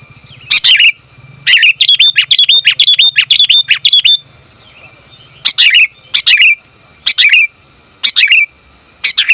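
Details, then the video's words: Female sooty-headed bulbul calling the male for luring: a fast run of loud, ringing chirps for about three seconds, then single bright chirps spaced roughly every second. "Suara Burung Kutilang Betina Memanggil Jantan"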